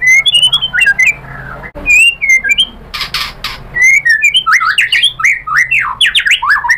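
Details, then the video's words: White-rumped shama singing a rich, varied song of whistled slurs, sharp chips and rapid zigzag phrases, loud and continuous with brief pauses. "PANCINGAN MURAI BATU biar EMOSI NYAUT jadi GACOR BONGKAR ISIAN | SHAMA BIRD"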